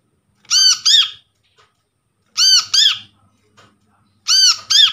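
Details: Brown-throated sunbird lure recording from a trapped bird: bright, nasal squeaky notes in tight doublets, repeated about every two seconds, with faint low knocks in the background.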